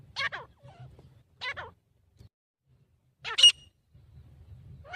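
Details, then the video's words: Announcing its territory, as it does mostly in the morning or evening, a grey francolin gives spaced, sharp notes with falling tails, one markedly shrill and loud, over a faint low hum. "Teetar Ki Asli Awaz"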